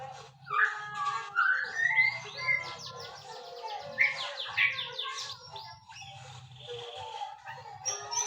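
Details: White-rumped shama song: rising clear whistles followed by rapid series of sharp downslurred notes and chatter, continuous and varied, with a low electrical-sounding hum underneath.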